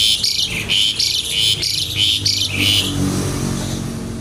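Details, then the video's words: Javan pied starling in lively rattling 'kretekan' song with wings spread 'nggaruda': a string of about six harsh, rasping high bursts at roughly half-second intervals, then a fading engine-like rumble. "jalak suren gacor kretekan nggaruda"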